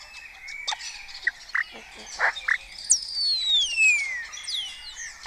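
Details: Early-morning starling colony in Cabañeros National Park, Spain, trading imitations of kites, orioles, quails and stork bill-clattering; short croaking clucks and chirps, then a long descending whistle with overlapping squeaky notes.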